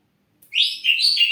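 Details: Ashy drongo, caged lure bird, gives a rich rising whistle that flows into a continuous warbled phrase with stepping pitch shifts, loud and clear.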